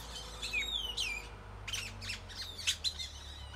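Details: Many birds sing in a tropical tree in Nayarit, Mexico. Sharp, clear whistles slur downward and are broken by harsh, buzzy squawk bursts, with short chirps near the end over a faint low background hum.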